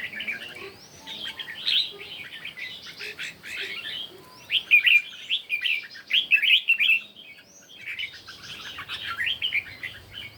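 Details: Competition singing of red-whiskered bulbul at morning, long sequence of cheerful warbled phrases repeated in quick succession with short breaks, loudest in the middle stretch.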